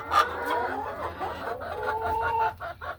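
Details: Hens in the hen house, laying birds going about their afternoon; a short run of clucks and a rising drawn note, then a few quick clucks near the end, over low hum.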